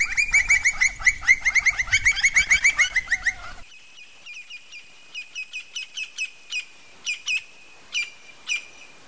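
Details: Campo flicker (Colaptes campestris) giving a fast, loud, rattling series of ringing notes for about three and a half seconds. Quieter, separate notes follow every half second or so.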